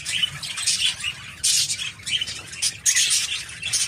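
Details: A 16-year-old budgerigar, born in 2007 and unable to fly, chattering: dense, scratchy warbling and squeaky chirps in uneven bursts, with a low steady hum underneath.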